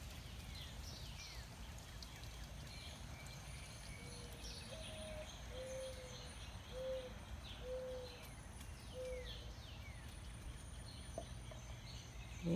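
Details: Mourning dove in a Missouri garden, late June, gives soft, low, hooting coos in a slow series of about five notes, over a steady rumble with faint chirps from other birds; owner first took it for an owl.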